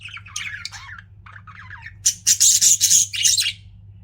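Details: Pet budgies chatter with wavering warbled notes in quick succession, then break into a run of loud, harsh, buzzy squawks repeated about four times a second before fading; a low hum runs underneath.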